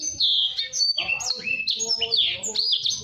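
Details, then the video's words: Blacksang, a blackthroat and sanger hybrid, in lively fast song used as a master for training canaries: a dense run of high whistled and slurred notes, with rising and falling sweeps, delivered almost without pause. "Blacksang gacor speed rapat || masteran ampuh burung kenari"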